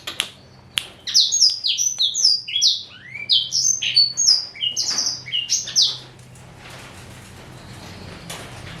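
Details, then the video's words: A male black-throated canary, four years old, Somerini x Botswana cross, pours out a fast five-second phrase of bright, falling whistled notes, about three a second, before the room goes quiet. "Kicau Merdu BLACKTRHOAT"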